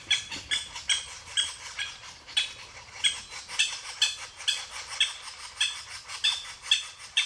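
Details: Japanese green woodpecker calling in an irregular run of about sixteen harsh, rasping notes over seven seconds. A softer, scratchy texture runs underneath, and some notes are fainter than others.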